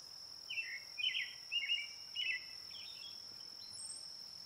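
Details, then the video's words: Brown-headed cowbird calling, a run of rough, slightly descending notes about every half second, closing with a thin high whistle, over a constant high-pitched insect drone. "Brown headed cowbird call / song / sound"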